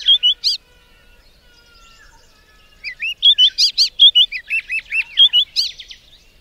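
A White-browed Scrub Robin sings clear, high whistled phrases of quick rising and falling notes, delivered in bursts with short pauses, over a quiet background.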